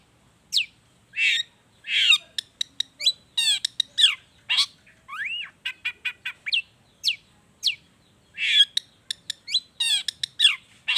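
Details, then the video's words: Long-tailed shrike song in natural style, played as a lure to make reluctant shrikes sing: busy run of sharp high chirps, rising slurred whistles and rapid stacked rasping notes, varied and continuous, almost no background noise. "SUARA CENDET GACOR ISIAN ALAM || ANTI GAGAL efektif bikin cendet malaspun langsung ikutan bunyi"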